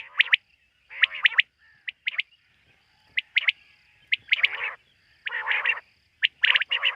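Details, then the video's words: Quail calling after dark, a species hunted locally: short, sharp notes in twos and threes interspersed with longer, harsh rasping calls, unevenly spaced. "Bater ki rat wali awaz ۔۔quail sound of night"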